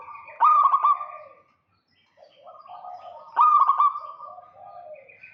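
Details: Local zebra dove singing to lure a rival: two bubbly trilled coo phrases about three seconds apart, each trailing into a long steady tone, with a soft lower coo and a brief pause.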